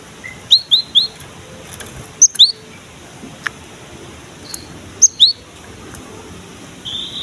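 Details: Cinereous tit in lively song, used as a lure to prompt young birds of its kind, male or female, to sing: high sharp whistled notes in quick groups of two or three, spaced a couple of seconds apart, over quiet hiss.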